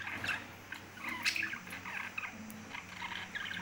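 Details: Pet lovebirds chattering: a quiet, steady stream of short scratchy chirps and squeaky twitters in quick irregular bursts, with faint clicks and rustling in the background.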